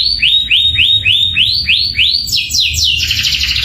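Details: Canary performing 'tembakan' shots: quick high notes that sweep up then drop, repeated about three times a second, followed by a brighter, faster burst of falling notes; low hum in the background.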